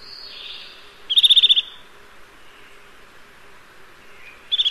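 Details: Eurasian nuthatch delivering a crisp, fast series of about eight high piping notes, then another trill starting after a three-second pause; faint softer bird sounds earlier.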